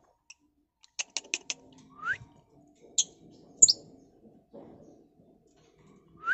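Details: Lovebird singing, March 2021: a quick cluster of clicky high chirps, then two upward-sweeping whistles and isolated sharp notes separated by short silences.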